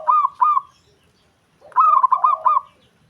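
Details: Zebra dove of a local strain cooing, its call drawing quick replies from other doves; two bursts of fast, rippling, trilled coo notes, a short one and then a longer one after a pause.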